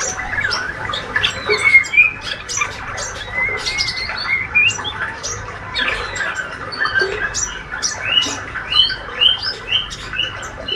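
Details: Young healthy male white-rumped shama in spotted juvenile plumage, described as a fighter, busily giving its ngriwik twitter: a dense, rambling run of short whistles, thin high chirps and clicks that rises and falls without pause over a low steady hum.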